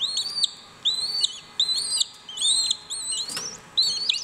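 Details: A clutch of West Indian (Cuban) whistling duck chicks (Dendrocygna arborea) at WWT Slimbridge call while hatching to synchronise hatching: high, thin, rising, wavering whistled peeps in quick bursts several times a second, with a brief knock partway through.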